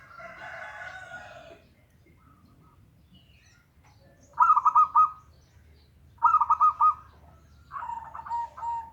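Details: A local zebra dove sings to stir a reluctant bird into song. After a brief harsh, noisy sound, three clear phrases follow at even spacing, each a fast stuttering run of coos trailing off into a level tone.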